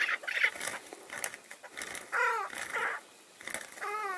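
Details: Chukar partridge at a tethered-decoy hunt where wild males approach: scattered rough notes, then two longer, clearer, wavering harmonic calls separated by a short pause.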